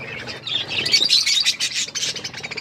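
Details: Budgerigars eating corn, giving busy overlapping high chirps and chattering warbles in a continuous stream.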